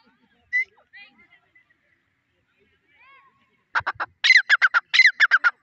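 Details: Grey francolin (white teetar): a few isolated squeaky notes and soft whistles at first, then a rapid run of loud harsh repeated notes building up in the last two seconds.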